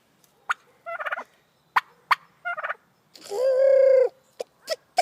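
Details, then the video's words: Attention-loving white hen turkey calling: scattered sharp clucks, two bubbly rapid trills, then a long steady whining note lasting about a second, followed by more quick clucks. "White turkey making noises - she loves attention"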